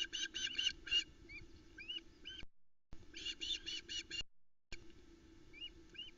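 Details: Osprey calling at the Loch Arkaig nest during a morning fish delivery; bursts of piercing yelps followed by softer, thin upslurred whistles, broken by short gaps, faint low hum throughout.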